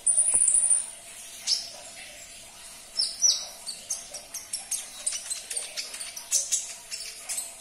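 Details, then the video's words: Sunbird song played to prompt a caged bird to respond: a long thin high trill opens, then a click, then scattered high chirps building into a brisk repeated twitter. "Putarkan 1 menit saja video ini KONIN anda pasti langsung nyaut"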